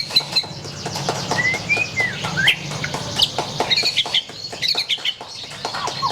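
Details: White-rumped shama singing softer whistled slurs and short high chirps, partly masked by steady clicking noise.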